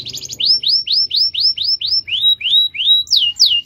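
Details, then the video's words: Canary kept as a cage bird, singing a long rolling song: a fast series of repeated rising-falling whistled notes, then lower swooping syllables near the end, each repeated several times a second. "MASTERAN KENARI NGEROL DURASI PANJANG"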